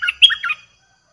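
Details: Streak-eared bulbul, fierce lure song for wild birds: a brief, rapid tumble of three or four bright, warbling notes lasting just over half a second, followed by silence.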